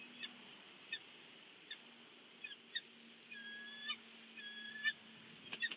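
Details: Bald eagle at a nest at Big Bear, watched on a live nest cam as a fish is brought in. Thin, high chirps sound roughly once a second, then a longer whistled note near the end, over a steady low hum.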